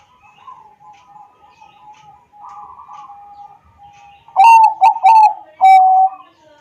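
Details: Zebra dove of the Bangkok strain, Pekalongan, Central Java, recorded on an Android phone to spur other doves into song; faint low cooing builds to three loud, quick rolling coo phrases at the close.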